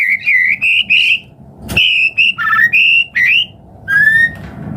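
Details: White-rumped shama song meant to stimulate other birds: bright, high whistled notes in short bursts, one sharp click midway, then a long falling whistle at the end.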